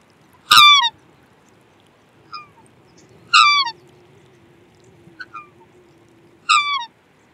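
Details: Black swan giving three loud, falling, trumpeting calls about three seconds apart, with softer, shorter versions in between and a low faint drone in the background.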